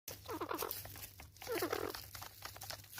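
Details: Guineafowl arguing over food give harsh, scratchy chattering in two quick bursts about a second apart, with a low steady hum underneath.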